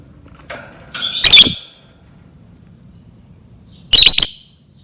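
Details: Lovebird screeching as a lure for other lovebirds to learn singing: a faint note, then a loud grating squawk, quiet, and a second harsh stuttered screech, over a steady thin whine.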